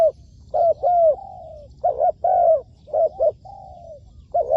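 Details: Spotted dove serving as a trapping decoy, alternating doubled short coos with long, slightly falling drawn coos in an uneven rhythm, clear over quiet surroundings.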